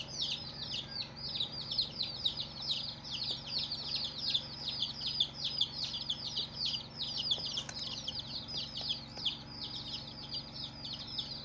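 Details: Day-old chicks calling together, a busy stream of piercing high peeps, each a short falling note, packed closely with no pauses; a soft constant hum underneath and one brief click near the middle.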